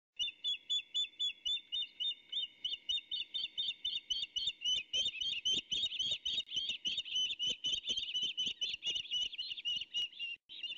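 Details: Osprey chick and its mother tussling over a fish the male has just delivered to the nest, on a nest camera at Skidaway Audubon on a May morning. Fast series of sharp whistled chirps, steady at first, then quicker and more urgent.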